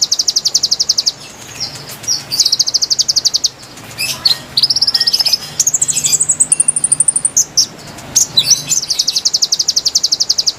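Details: Konin singing to lure wild birds: a chain of rapid, high, pulsed trills that step up to ever higher pitches, with sharp clicks and chirps between them and a long trill to close.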